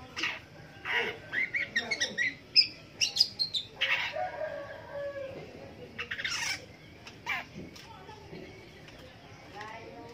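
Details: Long-tailed shrike singing in the morning: harsh, scratchy bursts and chattering phrases mixed with a few sharp, thin whistled notes, delivered in irregular spurts with short pauses. Fainter calls sound in the background.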